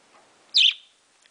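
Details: Baby male parakeet, a household pet, lets out one quick shrill chirp during morning chatter while its owner coaxes it to talk; faint room sounds around the brief note.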